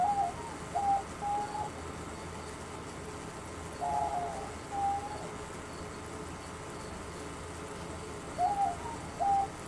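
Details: A pair of captive diamond doves, distant in another room with many other birds, give soft level cooing notes in small clusters every few seconds over a steady indoor hum.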